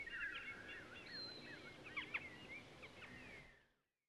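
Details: Common linnet song in UK woodland, a quick twittering run of varied short chirps, trills and thin whistled notes, with a slight hiss of background noise; it fades out after about three and a half seconds.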